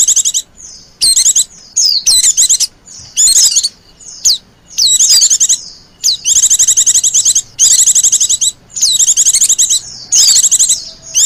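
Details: White-eye lure in the 'pleci ribut' style, used to call wild white-eyes: an almost continuous series of shrill, fast chattering bursts with interspersed descending whistles and short pauses.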